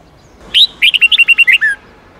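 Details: Red-whiskered bulbul phrase in the wild-style 8-9-10 note song used for training young birds: one sharp opening note, then about nine quick, evenly spaced chirps, closing with a falling slur.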